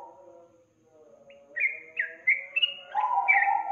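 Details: Sooty-headed bulbul song used as a lure to prompt a lazy young bird to sing. A soft low murmur opens, then bright, slurred, bubbly notes start after one and a half seconds, backed by a lower warbling voice.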